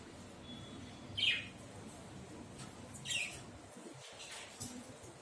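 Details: Myna at bath time giving two short, sharp high chirps, each with a quick downward slide, about two seconds apart, over a steady low background hum.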